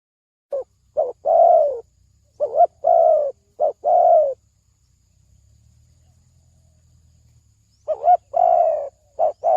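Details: Spotted dove lure call for trapping: two phrases of mellow coos, each with quick short notes and a longer falling coo, separated by a gap holding only a faint low hum.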